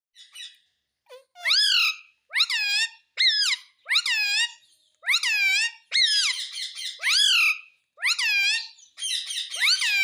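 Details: Pet ringneck parrot talking, said to say mummy and papa: a run of loud, rising-then-falling squeaky harmonic syllables about once a second, indoors with no other sounds.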